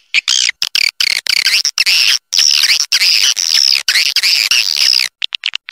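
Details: Swiftlet calling sound, a recording meant to draw swiftlets in and make them stay and nest: dense, buzzy twittering chatter in high, rasping bursts, nearly continuous for five seconds with short breaks, then a few brief chirps.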